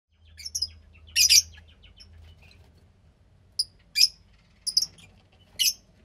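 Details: Fischer's lovebird chick about 15 days old, bred from a lutino and a pastel blue pair, kept in captivity: scattered high, scratchy chirps and short rasping bursts, with a low steady hum beneath.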